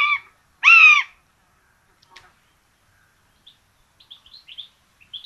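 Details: Common buzzards at a nest in Tiszalök, Hungary, on 26 June 2022, two chicks being given a rabbit for breakfast; one strong arched mewing cry follows the tail of another, then near silence broken by faint thin chirps.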